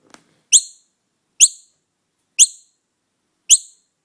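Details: Noisy miner fledgling found alone with no mother in sight, taken home to be cared for; four sharp, high, downward-slurred chirps with a bright overtone, spaced about one second apart, with silence between.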